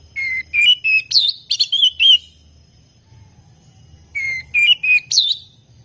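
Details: Vigorous singing from an oriental magpie-robin (kacer) in a hobbyist collection: two short phrases of clear whistles and upward-sweeping notes separated by a pause of about two seconds.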